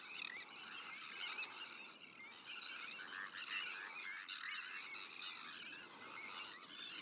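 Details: Sandwich terns calling at their breeding colony, with black-headed gulls, Arctic and common terns also nesting there: many grating cries overlap, rising in busy bursts around the middle.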